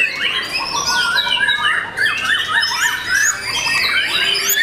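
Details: Young white-rumped shama, kept as a cage bird, giving series of repeated arched whistled notes, each rising and falling, woven among higher thin whistles in a steady flowing song.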